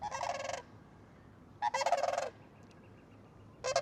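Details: Sandhill cranes calling along the banks of the Yellowstone River in Montana: loud rolling, rattling bugles in three bursts of about half a second each, separated by quiet gaps.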